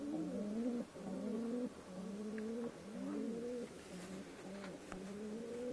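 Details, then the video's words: Soft pigeon coos in drawn-out, slightly rising phrases of about a second each, repeated one after another with brief gaps. "Natural Peagion Voice"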